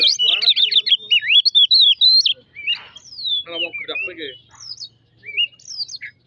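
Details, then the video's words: Oriental magpie-robin song played as a lure to stir birds into singing: a dense burst of rapid whistled, trilling phrases for about two seconds, then scattered softer whistles, buzzy notes and short slurred calls with gaps between. "pemancing emosi burung kacer"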